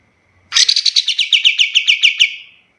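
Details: Kapas tembak master song for training other birds, heard as a single two-second phrase of quick, bright, buzzy notes repeated about seven times per second, fading at the end.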